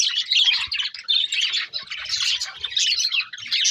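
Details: Pet budgerigars singing while eating: dense, continuous warbling chatter of overlapping high chirps and trills, with a few faint low clicks beneath.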